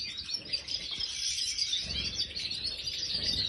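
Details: European goldfinch of the Major form kept in an aviary, giving a dense, continuous high twittering song of rapid tinkling and buzzy notes with no pauses, over a low background rumble.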